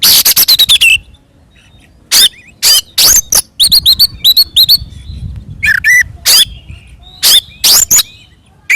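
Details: Fighting Oriental magpie-robin song used to bait other birds: a quick stuttering volley of loud notes at the start, followed by spaced sharp whistled chips and slurred calls.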